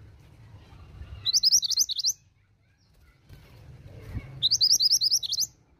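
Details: Calling female pied bushchat, used to draw replies from males: two quick bursts of high, scratchy chirps, about six notes then eight, separated by roughly two seconds of quiet with faint low background noise.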